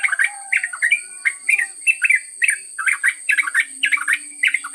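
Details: Yellow-vented bulbul singing a long ngropel trucuk song: continuous chattering run of short bubbly notes, several per second, over a steady high whine.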